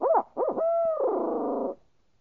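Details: Owl hooting: two rapid arching hoots, then a long, steady note that turns into a wavering, downward-sliding drawl and stops abruptly, with quiet afterward.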